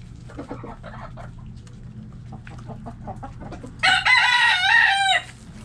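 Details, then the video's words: Backyard hens and roosters relaxing in their coop: soft, irregular clucks for the first few seconds, then one loud, harmonic rooster crow lasting over a second. A steady low hum runs underneath throughout. "Hens Clucking Roosters Crowing"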